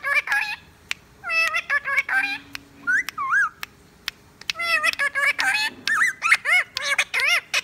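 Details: Indoor Indian ringneck parakeet that talks, whistles and laughs: short harmonic wavering syllables in clusters, separated by sharp clicks and brief pauses, with a faint low hum behind.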